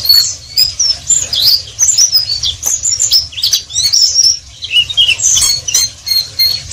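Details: Pleci, the Oriental white-eye, in full ngeriwik song: an energetic stream of very high, sweet twittering, fast slurred whistles and sharp chips packed closely together in rolling bursts, over a low background hum.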